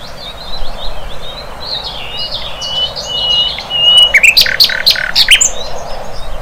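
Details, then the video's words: In the wild, a flycatcher keeps up a soft high twittering warble that swells into loud, rapid, harsh chirps toward the end. "Sikatan LONDO"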